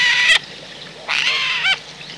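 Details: In autumn, on 17 December 2019, at a wild-bird feeding point in the countryside of central France, a Eurasian jay gives three harsh, rasping screeches, two longer and one clipped, with short pauses between them.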